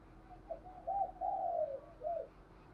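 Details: Spotted dove decoy calling to draw wild doves: a sequence of soft low coos with two longer, sliding middle notes and a short closing coo, over steady background hiss.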